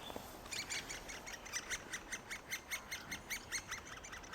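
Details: Great spotted woodpecker nestlings, fed by the parents for three weeks and nearly ready to fledge, give a fast run of high, squeaky notes, about four a second, in a steady chatter over a faint hiss.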